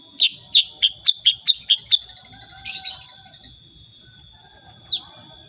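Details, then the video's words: Sooty-headed bulbul in energetic song in the rapid-fire 'tembakan' style, unedited: a run of seven sharp, high chirps about a quarter second apart, then a brief buzzy burst and one downslurred note. "KICAUAN KUTILANG SUTRA SUPER GACOR"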